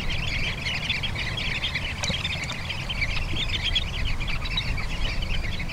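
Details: Sanderling (Calidris alba) flock on a beach at Bañugues, Asturias, keeps up a steady chatter of short, high twittering notes without pause, over a heavy low roar of surf and wind.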